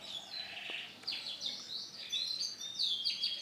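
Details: Male canary with orange and black plumage, singing a fast run of high, bright whistled notes and rising and falling trills in short bursts, with faint room noise.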